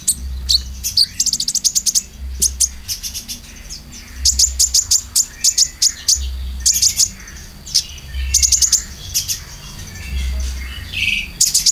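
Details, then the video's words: Konin lure recording for caged birds: bursts of quick, dry, high chips in rattling runs, separated by short pauses, over recurring low thuds. "PANCINGAN KONIN ISIAN"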